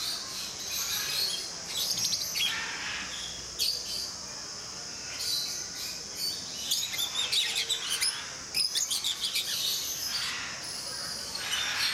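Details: Flock chatter from rosy-faced lovebirds at Mysore Zoo: continuous high, shrill twittering with rapid runs of clipped chirps repeated several times a second toward the end.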